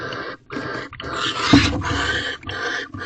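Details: Barn owl pair mating in a corral owl box on the evening of 18 February 2023, the male bringing another mouse; rough, broadband screeching bursts, one long harsh rasp in the middle, with brief pauses between.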